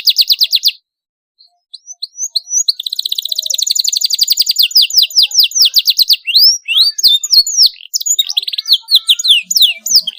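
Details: Canary singing constantly with sharp rolls, used as a lure to get young canaries singing: a short fast trill, a pause, scattered chirps, then a long rapid rolling trill lasting seconds, followed by varied high sweeping whistles.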